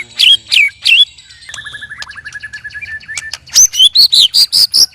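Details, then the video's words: Three white-rumped shamas in cages sparring, with strange loud song: three falling whistles, a long rattling chatter of rapid ticks, then a quick string of bright, rising whistled notes. "Murai Keluar Suara Aneh Ketika Di Trex 3 Murai"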